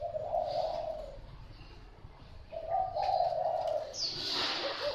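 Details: Spotted dove, a Thai-type cooing dove kept by its owner, giving two long low coos with a soft breathy quality, the first near the start and the second after about two seconds, followed by a broad noisy rustle near the end.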